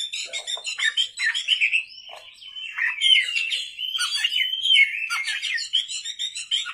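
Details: Oriental magpie-robin (kacer) in vigorous song at night, pouring out rising and falling whistled slurs blended with fast buzzy chatter in a nearly continuous flow.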